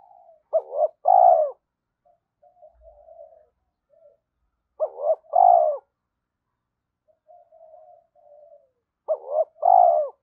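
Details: Spotted dove's provoking, luring coo in early morning: three phrases roughly every four seconds, each paired short notes and a long hollow coo, with quiet muttering coos in the gaps.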